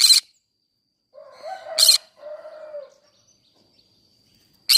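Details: Green-cheeked conure singing in a flower garden. Three harsh, noisy squawks are spread over several seconds. Lower, drawn-out calls from another bird are heard in between.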